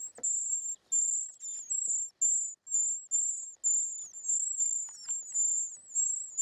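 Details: Nest of short-toed treecreeper young during feeding: a near-continuous series of piercing, very high hissing trills broken into short bursts, some ending in slight downward slurs, with faint taps underneath.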